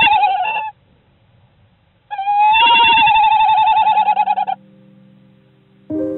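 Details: A female tawny owl at night, incubating a failing clutch in sub-zero winter temperatures, calls desperately for her absent mate: two drawn-out, wavering, rather nasal calls, the second long and quavering, with a low steady tone beneath.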